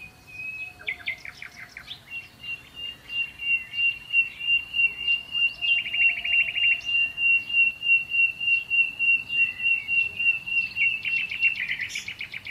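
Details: Sparrows at a hotel in Marsa Alam, Egypt, gathering after breakfast to eat leftover food from the tables; bright, high chirps repeated rapidly and steadily, with one sustained thin whistle-like tone running through much of the recording.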